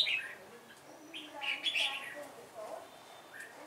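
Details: Red-whiskered bulbul kept as a decoy bird, giving a few short whistled and warbled notes in quick bursts over steady background hiss, with quieter pauses between phrases.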